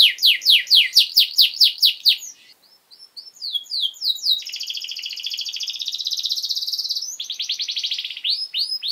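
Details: Canary song used as a master recording to train young birds: fast repeated descending whistled notes, a brief pause, then a long buzzy trill and rapid chattering phrases, all high-pitched and clear.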